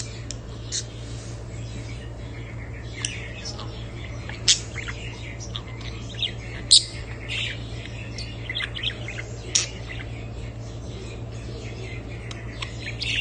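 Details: Budgerigars twittering continuously, with quiet chattering broken by occasional sharp squeaks every few seconds, and a steady low hum throughout.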